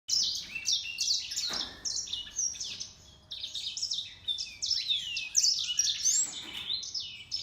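A grey singing finch and canary hybrid sings a lively, unbroken run of high twitters, trills and quick rising and falling whistles, with a brief pause near the middle.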